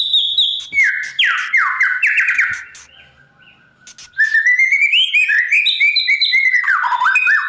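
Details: White-rumped shama singing in the morning during voice practice for song contests, opening with strong descending whistled slurs, a quiet low sustained tone, then a burst of rapid rising and falling warbles, faint background bird chirps throughout.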